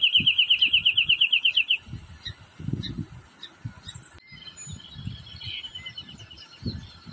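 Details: Wrentit on a branch delivers one quick, steady run of sharp high notes at the start, fading out after about two seconds, then only scattered faint chips over heavy low rumbling and thumps.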